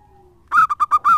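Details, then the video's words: Lively local zebra dove used as a lure, giving a brief phrase: one longer coo, three quick clipped notes, then a final sustained coo, clean and clear with no other sounds. "Perkutut lokal gacor suaranya mantap abis buat pancingan."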